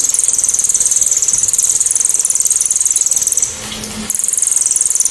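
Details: Cililin song, very loud, sharp and clear, used for tutoring other songbirds: high, shrill notes, about four a second, running almost without a break apart from one short pause.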